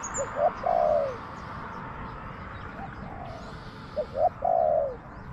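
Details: Spotted dove, a wild bird in a garden, replying to a trapper's decoy. Two loud cooing phrases of short double notes and a trailing downward purr, with a faint distant phrase between them.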